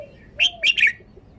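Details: Caged red-whiskered bulbul showing off its song style: three short, loud, bright notes in quick succession, the middle pair close together, above a faint lower whistle and quiet room background.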